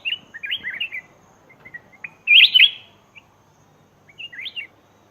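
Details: Black-crested bulbul used as a lure for wild birds: a soft warbled phrase, one loud, sharp, liquid burst in the middle, and a quieter bubbly phrase near the end, with faint background hiss.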